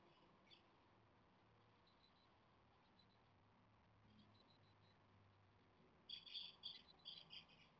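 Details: Nestling Japanese tits, 17 days old and possibly fledging the next day, beg for food: after near silence with a few faint squeaks, a sudden chattering string of high, sharp chirps bursts out over the last two seconds.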